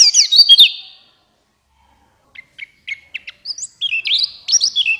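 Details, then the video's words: Buxtoni white-eye twittering song used as a lure to get lazy white-eyes singing in wild forest style: a loud high warbled burst, a pause, then quick thin chips building back into rapid twittering. "Pancingan Pleci Cepat buka paruh Gacor Ngalas Bukpar"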